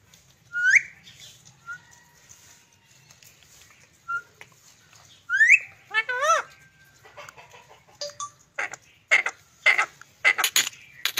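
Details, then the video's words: A talking pet green parrot produces upward-sliding whistles and short piping notes, then a bubbly wavering phrase of mimicked syllables, ending in a string of harsh broadband squawk-like bursts. "Cute Green Parrot 🦜 Talking 🎤"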